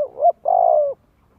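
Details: Spotted dove lure coo used to prompt young birds to practise cooing: a short two-part phrase, a brief rising note and then a longer, steady, slightly falling hollow coo, with quiet background.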